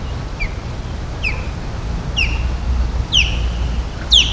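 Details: Osprey calling around Palm Beach and West Palm Beach, Florida: a series of short, high, downslurred whistles, each about a second apart, growing louder and sharper toward the end, over a steady low background rumble.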